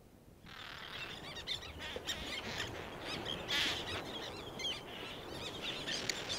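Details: Black-naped terns calling at close range, several birds with others in the distance and wing beats; harsh, rasping chatter repeated rapidly and irregularly over steady background hiss.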